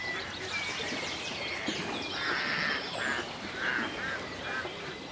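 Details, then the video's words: Ducks by a rural lake. Grating calls come in a loose series in the second half, spaced under a second apart, over a background murmur of other fowl and faint high bird calls. "A Peaceful Day in the Country with Ducks Ambience"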